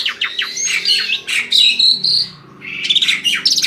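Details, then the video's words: Asian pied starling singing to entice other birds to join in: dense, scratchy chattering notes and buzzy whistles, a short pause, then another burst, over a steady low background drone. "Jalak suren ini PINTAR memikat burung lain AGAR IKUT GACOR"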